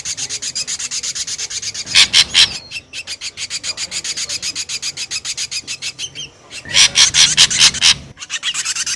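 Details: Ashy drongo lure sound: long runs of harsh, scratchy pulses repeated several times a second, with louder chattering bursts near the start and end.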